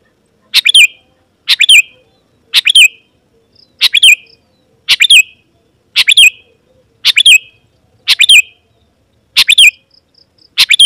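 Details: Sooty-headed bulbul singing vigorously, used to call wild birds of its kind so they answer and come closer: short, bubbly whistled phrases, each under half a second long, repeated about once a second, ten times, with silence in between.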